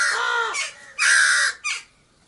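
A crow gives three harsh, hoarse caws in quick succession, the middle one longest and loudest, with no other sounds around.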